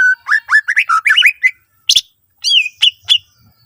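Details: Greater green leafbird song used to trigger singing in other leafbirds: a quick series of mellow whistled notes rising and falling, then a harsh burst and a few high sliding whistles.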